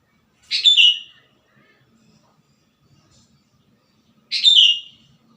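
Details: Sooty-headed bulbul, a wild bird singing vigorously: two short bubbly whistled phrases, bright and slightly descending, about four seconds apart, with near silence between them.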